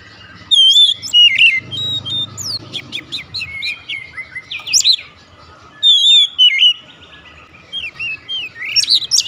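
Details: Oriental magpie-robin singing 'nembak': bursts of varied whistles, quick chips and sharp rising slurs, set apart by short pauses, with faint low rumbling at times.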